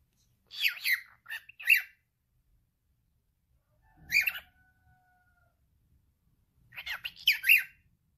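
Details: Male cockatiel kept as a pet, talking: a rapid string of rough, chirpy syllables, a single harsh burst trailed by a thin steady tone, then a closing chattering phrase.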